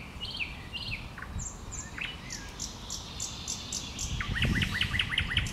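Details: Common nightingale singing in bushes: slurred whistled notes and short downward sweeps, then a quick rattling series of about six repeated sharp notes, over a steady low hum.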